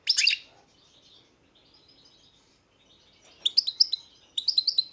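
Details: European goldfinch giving a loud burst of twittering, then soft faint notes, then two quick bright phrases of tinkling, rising-and-falling chirps near the end.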